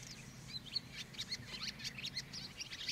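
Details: A barn swallow at Lake Kerkini National Park, Greece, in April 2024 gives a rapid twittering song, a quick run of thin high chirps and buzzy notes, over a low background hum.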